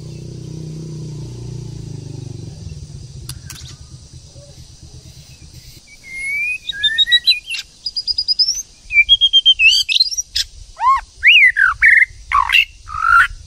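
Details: White-rumped shama, a female stimulating a male to sing: about six seconds of quiet low hum, then a burst of varied whistles, buzzy trills and sharp downslurred notes that grows louder and denser toward the end.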